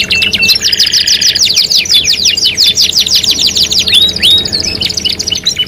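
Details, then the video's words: Canary song from a three-in-one lure mix: a low buzzy roll, then quick chattering trills and two rising whistled notes before a fine, high rapid trill. "PANCINGAN KENARI 3 IN 1 | CANARY SINGING"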